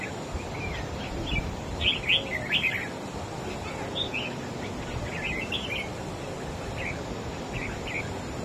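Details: Competing against another bird, a wild-caught adult red-whiskered bulbul delivers loud chirruping phrases of several quick slurred notes, strongest early on, followed by quieter, spaced warbles amid steady environmental noise.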